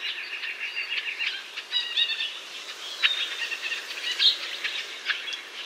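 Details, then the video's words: White-breasted nuthatch calling in a North American forest: a series of nasal, harmonic-rich notes repeated irregularly, with a few sharper high chips in a quiet outdoor setting. "White-breasted Nuthatch Bird Call"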